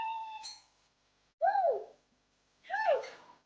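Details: Mithu, a young pet Indian ringneck parakeet bought at ten days old, talks in Urdu/Hindi in a nasal, human-like voice: a short held tone, then two arching spoken syllables about a second apart, in a quiet room.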